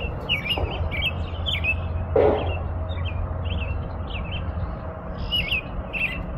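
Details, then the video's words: An American robin sings brief looping whistled phrases spaced about half a second apart, interrupted around the two-second mark by a short noisy thump, with a steady low hum underneath. "impressionante canto do sabiá-norte-americano"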